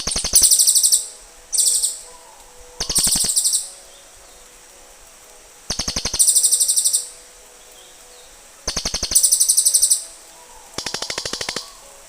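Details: Cililin birds answering one another: repeated runs of fast, high-pitched clicking chirps, each lasting about a second, with pauses between runs and a faint low hum in the background.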